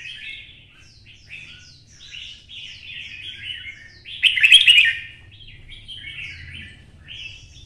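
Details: A red-whiskered bulbul sings its fighting song in the 'twisted voice' style: a continuous stream of fast, liquid warbled notes with one loud, harsh, bright phrase in the middle.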